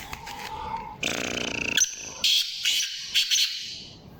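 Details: Black francolin, known locally as kala teetar, calling: a harsh, grating series of loud rasping bursts, a buzzy opening phrase followed by several short scratchy notes spread over about three seconds, with a faint tonal note beforehand.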